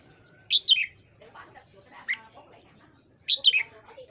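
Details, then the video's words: Red-whiskered bulbul morning song for voice training: a quick three-note whistled phrase falling in pitch, softer lower chatter in between, then the bright phrase repeated about three seconds later. "luyện giọng chào mào hót sáng"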